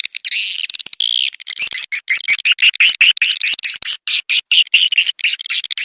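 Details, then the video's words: Calls of swiftlets, used to attract them into a swiftlet house: continuous high twittering with rapid clicking chirps and short buzzy trills, closely packed. "suara panggil burung walet"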